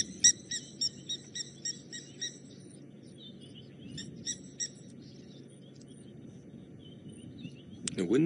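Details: Blacksmith lapwings near a dam at Djuma Game Reserve on an April 2018 evening, with water thick-knees also calling, give sharp metallic hammer-on-anvil 'tink' notes, about three per second, then a few more, over low engine or wind rumble.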